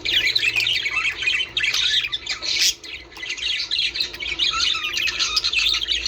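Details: Budgerigars producing dense warbled chatter and harsh squawks, a short drop in volume around three seconds, then overlapping twitters resume; sounds meant to encourage breeding.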